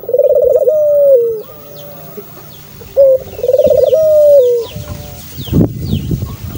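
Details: Dove cooing: a rolling, vibrating coo that slides into a drawn-out, falling tone, then a softer, steady follow-on note, repeated twice; faint high chirps of other small birds, with a rustling thump near the end.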